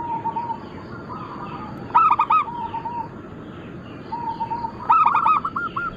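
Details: Singing crossbred local and Bangkok zebra doves: soft drawn-out coo runs punctuated by two loud bursts of rapid rolling notes, several birds overlapping against a hissing background.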